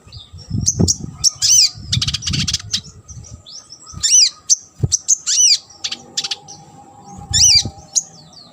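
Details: Sunbird tutor song for training competition birds: high, sharp, swooping whistled notes and buzzy bursts repeated in clusters, with low thumps and handling noises in the background.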